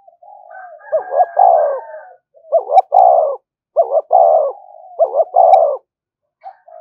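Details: Spotted dove calling to provoke other doves, four repeated coo phrases in quick succession. Each is a clipped two-note stutter leading into a longer hoarse coo, with softer background cooing joining the phrases.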